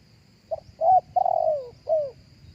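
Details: Live spotted dove coo, recorded to be played through a speaker to attract doves: a soft short note, a round coo, a long drawn-out falling coo, and a final downward coo. A faint steady high whine runs underneath.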